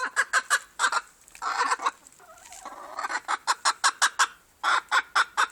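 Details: Silver Appenzeller chicken calling: quick sharp clucks repeated about three per second, broken by a drawn-out rasping squawk in the middle.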